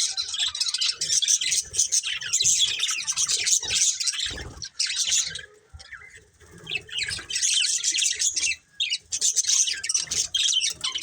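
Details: Budgerigars, a breeding pair, keep up long stretches of fast, scratchy, high twittering and chirps, pausing briefly twice, with soft flutters and rustles below.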